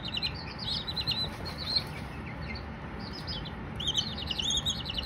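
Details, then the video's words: Baby Silkies peeping in quick, high, wavering trills. A busy run opens the recording, the calls grow sparse in the middle, then a dense burst closes it, all over a low background hum. "Baby Silkies singing, no talking just chirps"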